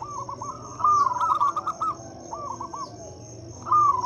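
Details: Local zebra dove singing as a lure for doves that have stopped singing: two quick rolling coo phrases, a softer mid-pitched note pair between them, and a continuous thin high whine underneath.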